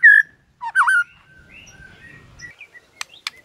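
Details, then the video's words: White-rumped shama singing in the morning to provoke rivals: a loud whistled phrase, a dipping slurred whistle, then soft warbling and two sharp high clicks, with a quiet low rumble beneath. "HITUNGAN DETIK DI PAGI HARI BIKIN MURAI LAWAN AUTO NAIK EMOSI SEKETIKA"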